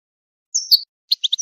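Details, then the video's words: European goldfinch song meant for training songbirds and encouraging mating: a high slurred note followed after a short pause by a few quick, bright chirps, against silence. "improving goldfinch singing skills exercises and training"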